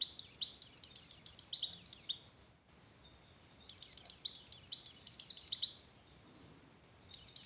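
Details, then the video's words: Pleci white-eye in breeding-arousal 'oper birahi' song: dense, twittering runs of high, sharply dropping notes, two long phrases separated by a short lull, over a steady low background hiss. "Suara Pleci Oper birahi Cocok Untuk Menaikan Birahi Pleci"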